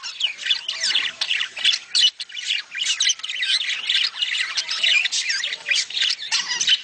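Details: Flock of budgerigars in breeding-stimulation chatter, an unbroken mesh of twittering warbles, squeaks and squawks from many birds calling together.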